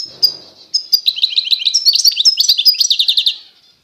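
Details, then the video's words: Goldfinch of authentic Constantine stock, eastern Algeria: a few thin opening notes, then an accelerating jumble of bright twittering chirps ending in a fast, evenly spaced series that fades away. "تغريد الحسون القسنطيني الاصيل (حسون الشرق الجزائري)"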